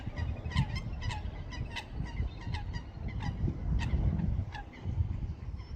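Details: Ducks giving a screeching sound: rapid bursts of short, harsh, overtone-rich calls, several birds overlapping, with pauses between bursts and a constant deep rumble underneath.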